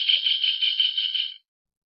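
A Javan kingfisher gives a dry, fast rattle, a harsh high chatter held steadily for about a second and a half before stopping abruptly.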